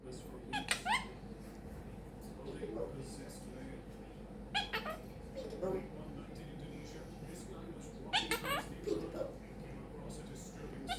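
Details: Pet quaker parrot (monk parakeet) chatting indoors in a small room. Its phrases include peek a boo, making bacon pancakes, give me a kiss and thank you baby. Speech-like mumbles come in bursts, broken by sharp, bright squeaks near the start, middle and end.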